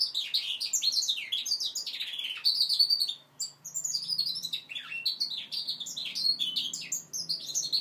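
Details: Five-month-old goldfinch mule learning to sing: a continuous, fast twittering warble of high, sweeping chirps and trills, with a brief pause midway and a faint low hum underneath.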